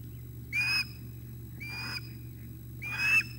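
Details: Osprey calling at 06:25 on 9 August 2021 as the male delivers breakfast to the nest and the chick grabs it. Three drawn-out, slightly rising whistled cries with buzzy harmonics come about a second apart over a constant low hum.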